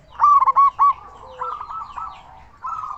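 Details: Local zebra dove with a strong voice, used to draw other zebra doves into calling; four loud clipped notes open, followed by a soft rolling trill and a final brief coo.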